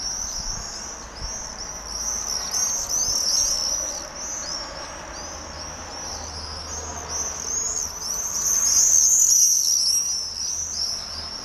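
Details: Common swifts screaming as they fly in circles at Holstebro, Denmark: a constant stream of sharp, thin, high-pitched screeches from many birds, growing louder near the end.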